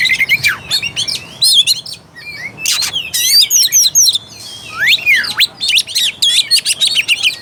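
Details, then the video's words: Oriental magpie-robin song used to fire up a reluctant caged singer: fast strings of sharp chirps and swooping whistles, a short lull, then renewed dense rattling phrases and falling slurs. "PANCINGAN AMPUH UNTUK KACER MALAS BUNYI DAN KURANG FIGHTER."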